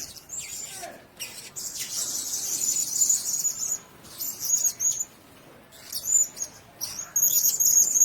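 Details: Blue-crowned hanging parrot, a nest (sesangkar) of them: very high, thin squeaky chirps and trills in bursts separated by short silences, with faint rustling.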